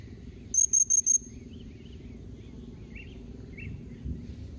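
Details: A blue-crowned hanging parrot gives one quick run of four shrill, very high notes in the style called memanggil nembak mbeset, meant to draw replies from other birds. Faint, low chirps follow over a quiet background hum.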